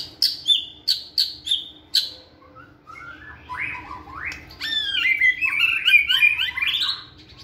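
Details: White-rumped shama in a flight cage during training, singing energetically: five sharp, evenly spaced notes, then rising slurred whistles building into a dense, rapid warbling run.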